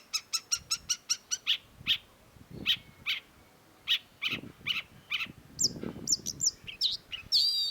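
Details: Long-tailed shrike: a quick run of thin ticking notes, then harsh buzzy chacks repeated roughly every half second, ending in sharp squeaky rising whistles, with low murmuring noise behind.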